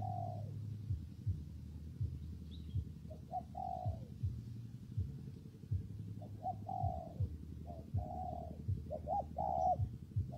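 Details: During rain and wind, a spotted dove coos over and over. Several phrases of brief notes each run into a longer falling hoot, roughly every two to three seconds. Steady low rumble throughout.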